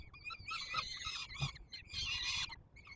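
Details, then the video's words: Two long rasping screeches from peregrine falcon nestlings fed by the male on Warsaw's Palace of Culture and Science, Poland, 7 July 2022, separated by a short pause, over low hum. "Franek karmi maluchy"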